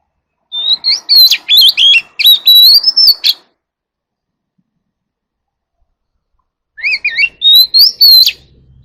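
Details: White-rumped shama singing its "forest voice" song to call the flock: a three-second run of looping whistles and sharp chips, a long silence, then a second shorter phrase of rising, warbling whistles.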